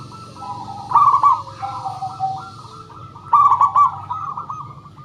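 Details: Zebra dove lure, local birds cooing: a loud rolling phrase near the first second and another after three seconds, linked by continuous lower, softer coos and a faint background drone.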